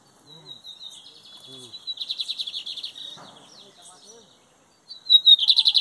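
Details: Lined seedeater in a Brazilian song competition, 2023 season, metálico and torneiro song styles: thin high whistles, then an extended rapid trill of bright repeated notes, a pause, and a sharp loud trill burst at the end; faint speech underneath.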